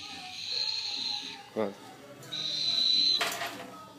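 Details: A young, hand-reared sulphur-crested cockatoo gives two drawn-out, high, wheezy begging notes, each about a second long and ending in a harsh rasp, as memories of its feedings drive it to call for attention. A person speaks softly between the notes.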